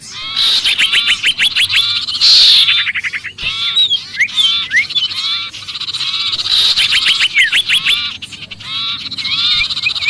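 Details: Sirpu giving a frantic distress call as if caught, for luring other birds: rapid rattling note series and harsh nasal chatter in bursts, with scattered sliding squeaks throughout.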